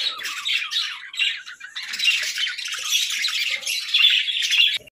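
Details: Pet parakeets warble and squawk in lively high-pitched chatter, with short scratchy notes and whistled chirps that end abruptly.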